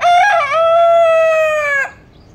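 An Australorp rooster gives one loud crow, a choppy rising start that settles into a long, steady, nasal note lasting under two seconds, then cuts off.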